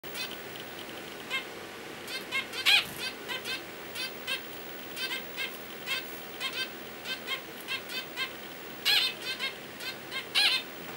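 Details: Zebra finch chicks ten days old in the nest, now feathered on the wings and peering out: thin high buzzy begging notes in short irregular bursts, a few louder harsh squeaks standing out, over a soft steady background hiss.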